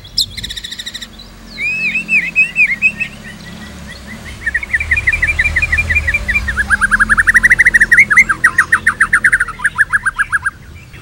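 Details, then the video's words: White-rumped shama song used as a trigger for tutoring shamas, with traffic rumble behind. Brief high chatter and a pause lead into long runs of rapid repeated notes that drop lower and speed into a steady trill. "PANCINGAN GACOR !! MATERI mewah cocok untuk masteran semua jenis murai | shama bird"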